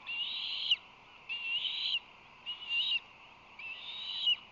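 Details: Ospreys at a nest beside a berthed museum ship in San Francisco Bay, with fledglings 58 to 61 days old, 8 July 2020: drawn-out thin whistled calls, each about half a second, repeated four times over steady background hiss.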